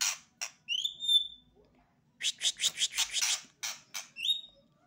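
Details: White-rumped shama described as a novice bird singing vigorously right away: loud rising whistles with a quick overtone, then a fast run of harsh, buzzy bursts, followed by more clipped whistles, all high-pitched over a quiet background.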